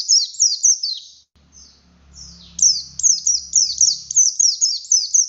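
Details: Oriental white-eye of the buxtoni race in loud song: rapid high descending chirps, a break with a low engine-like hum, then another brisk run of sharp falling twitters.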